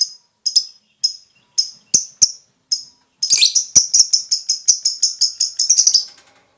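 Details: Lovebird in a bout of ngekek, its long chattering song, used to provoke other lovebirds to sing: sharp, high, dry chirps spaced about half a second apart, then speeding into a rapid, continuous rattling trill before stopping.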